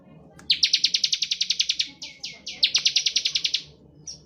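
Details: Bar-winged prinia in 'ngebren' style, played to provoke other birds into singing: two fast, even trills of high metallic ticks, each lasting over a second, separated by a short slurred note, ending with a faint chip.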